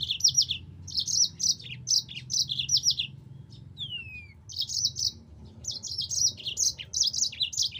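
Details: Yellow-fronted canary tutor song: repeated clusters of fast, high, chattering trills roughly every second, broken once by a single downward-sliding whistle, with faint low hum behind.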